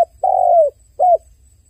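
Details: Dove crying with one long, gently falling coo followed by a shorter arched note, clear and close with a quiet background.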